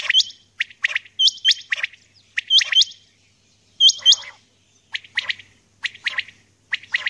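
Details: Female common quail recorded in the early morning, giving double hooked whistles mixed with quick sharp chirps in a loosely regular pattern.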